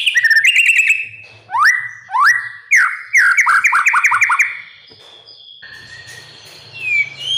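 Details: Caged oriental magpie-robin training song: quick chirps, loud upward-swooping whistles, then a rapid rattling run of notes, followed by a quieter pause and soft high whistles.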